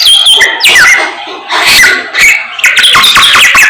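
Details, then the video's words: Samyong in full morning song, delivering short phrases of bright whistles and scratchy notes separated by brief gaps. "SAMNYONG GACOR Menggemaskan DI PAGI HARI"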